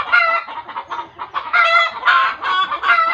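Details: Chicken calling in alarm, which village folklore links to seeing a ghost: a continuous run of loud, raspy, harmonic squawks rising and falling in bursts about every half second.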